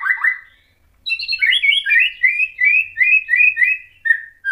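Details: White-rumped shama song to provoke other shamas: an opening phrase, then a rapid series of about ten repeated slurred whistled notes, ending on a lower whistle.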